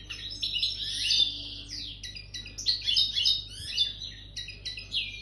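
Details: Goldfinch coming into breeding condition, singing a continuous jangling medley of high chirps, liquid twitters and short buzzy trills that rise and fall without a break.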